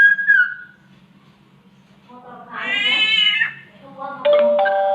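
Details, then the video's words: A samyong copying the cat's mating call opens with a brief falling whistle, then gives one long nasal meowing wail, then ends on a flat, steady tone. "SAMYONG MENIRUKAN SUARA KUCING KAWIN"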